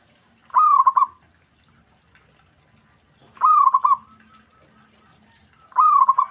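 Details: Three loud, rolling coo phrases of a Zebra dove, each a fast series of notes, spaced about every two and a half seconds; other doves are said to reply at once.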